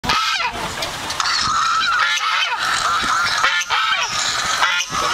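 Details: Geese answer the sound of their own voice with a dense, continuous chorus of overlapping nasal honks, loud and sustained throughout, with brief dips between bursts of calling.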